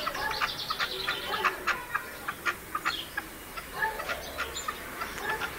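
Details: Partridge kept as a decoy in León, Spain, 2012, noted for three breeding-season call types, uttering bursts of scratchy clucks and chattering notes at irregular intervals against a rustling background.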